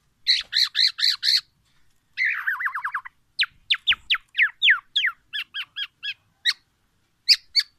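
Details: Black-naped oriole delivering magpie-robin-style phrases to challenge other orioles: a bout of four buzzy rising notes, a fast descending rattle, then a string of sharp clear whistles at uneven spacing in a quiet background.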